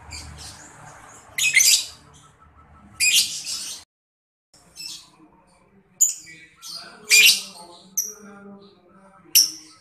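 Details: Lovebird sound used as a lure to make young lovebirds under five months answer: harsh, buzzy chirp bursts of about half a second, separated by pauses of one to two seconds, over a quiet background.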